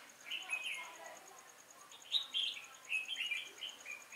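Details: Red-whiskered bulbul singing from a trap as a lure for wild birds, recorded 5 October 2018; soft chattering phrase at first, then clearer, sharper whistled and warbled notes in quick bursts, over a faint steady ticking.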